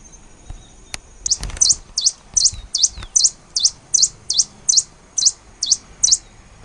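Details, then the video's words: Black-and-rufous warbling finch calling at Laguna del Diario, Uruguay, 24 December 2015: a steady series of about fifteen high, sharp, thin notes, roughly two per second, over faint background noise and a few early clicks. "Poospiza nigrorufa, voc"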